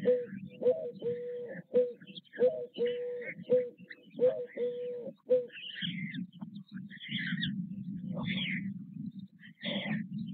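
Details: White stork young being fed at their nest at Nové Mlýny on 6 May 2024: repeated level mewing notes for about five seconds, then a low rumbling, rustling noise broken by occasional higher squeals.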